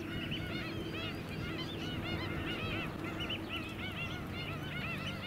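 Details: White-headed Stilts, also known as Black-winged Stilts, in a flock on Queensland mudflats at Scarborough, July 2017: rapid, ringing arched yelps from many birds, almost continuous, over low rumbling noise.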